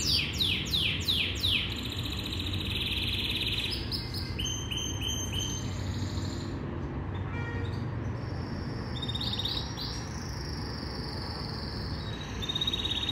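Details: Yorkshire canary training song: rapid sweeping notes and a bright rolled trill, then a pause, then further high trilled phrases, set against a continuous low rumbling background.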